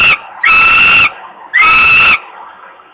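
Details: At a nest in Włocławek, Poland, on 27 May 2022, a hungry falcon chick begs for food from its father. Two strained, screeching cries, each about 0.6 seconds long, are separated by a pause with a faint background hum.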